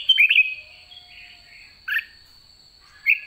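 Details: White-cheeked red-whiskered bulbul at season's end giving ché song: a fast warbled phrase of bright whistles, then two short separate notes, all over a continuous high-pitched hum.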